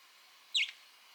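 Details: Two female pet budgerigars greeting and preening each other's cheeks in a seagrass corner; one short, bright chirp that rises then drops, over a quiet, faintly hissing room.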